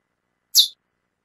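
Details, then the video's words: A female chestnut-bellied seed finch, calling a lot, gives a single short, high, slightly buzzy chip note. Nothing else is heard. "Fêmia do Curió Chamando Muito"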